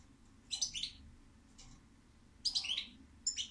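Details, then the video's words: European goldfinch song: two bursts of bright, jangling twittered notes with a short trill, separated by a pause, over a low steady hum. "Goldfinch Song"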